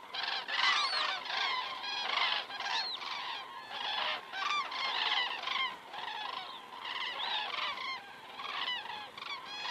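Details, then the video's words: Evening flyover of common cranes, Estonia, 19 September 2017 at 19:10, recorded by a crane webcam; many birds give bugling, upward-inflected honks in repeated pulses, swelling and fading every second or so as the flock passes. "cranes flying over"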